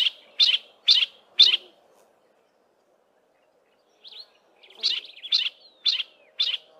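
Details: Single yellow-breasted apalis in a thick wooded valley west of Grahamstown giving part of its duetting call, its mate not responding: four loud, buzzy notes about twice a second, a pause, then softer notes and more buzzy calls.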